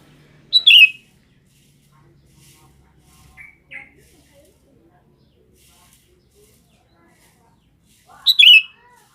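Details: Sooty-headed bulbul, kutilang, calling for females: two sharp, loud, downward-slurred chirps, separated by a long quiet gap and a few faint soft notes.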